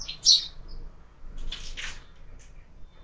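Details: Sparrows at a window-mounted feeder during lunch, with a few short high chirps, one louder at the start and a pair of brief notes midway, over a quiet low background hum.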